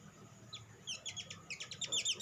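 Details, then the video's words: Sunbird song used as a lure to stimulate other sunbirds to sing: rapid high chirps, sparse at first and then running into a dense, quickening series of sharp notes over a faint low hum. "SUARA PANCINGAN BURUNG SOGOK ONTONG; Merangsang sogon ijoan cepat bunyi"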